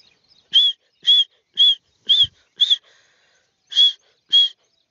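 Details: Grey francolin calling: a series of short, clear whistled notes at a steady high pitch, five in quick succession, a brief pause, then two more; otherwise near silence.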